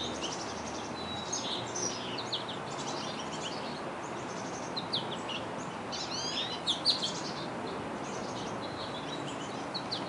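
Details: Black-capped chickadees at fledging in early June 2012, Denver, Colorado, give high, thin chips and short squeaky notes, scattered and overlapping throughout, over a steady hiss of background noise.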